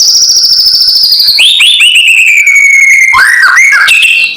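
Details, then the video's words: A provoking kretekan from a white-rumped shama: a long, high whistle with a fine crackling texture slowly descends, then breaks into looping, bouncing notes and a few quick slurred phrases, loud and clear. "SUARA PANCINGAN KRETEKAN MURAI BATU KERAS BIKIN EMOSI SEHARIAN"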